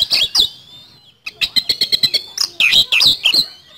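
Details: Oriental magpie-robin (kacer) in full 'gacor' singing, described as 'nembak speed roll' and used as a lure recording: shrill whistled phrases, a pause, then a burst of rapid sharp ticking notes followed by loud scratchy trills.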